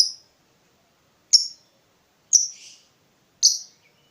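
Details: Lovebird chirping, sound used to attract and train other lovebirds: single sharp, high squeaky chirps, one roughly every second, with silence between.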